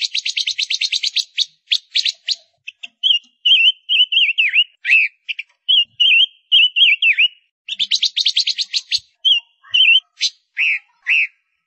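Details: Female Gouldian finch sings in fast bursts of high, buzzy ticks alternating with short squeaky, wavering whistles, repeated over about eleven seconds with no other sounds.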